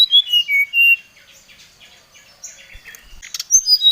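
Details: Brown-chested jungle flycatcher singing in an agitated, challenging mood toward a rival: loud clear whistles dropping in pitch open the phrase, muffled busy twittering follows, then sharp high notes return after a click.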